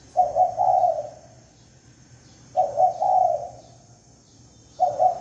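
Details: Spotted dove lure call with soft gurgling coos, a short stutter then a longer sustained note, repeated every two and a half seconds over low hum and a faint high ringing tone.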